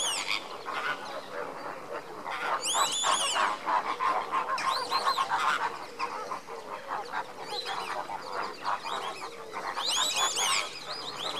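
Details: A flock of lesser flamingos foraging during enrichment gives a steady babble of nasal, goose-like honks and grunts, overlapping several times a second, with brief louder bursts of calls.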